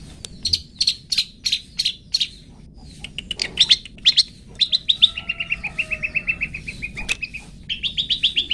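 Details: Long-tailed shrike in 'toet toet' song, a recording meant to teach pet birds: bursts of high buzzy notes give way to a fast rattling trill of even, repeated chips, then brighter notes again.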